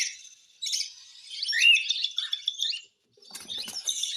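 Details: Hand-feeding cockatiel: one long raspy, wheezing begging call with a rising squeak, a brief gap, then a scratchy rattling burst.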